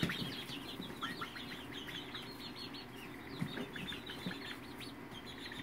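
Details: Polish, Faverolles and Partridge chickens in February 2018, a dense flock of high, short chirps and downward-slurred peeps tumbling over one another continuously, with soft rustling underneath.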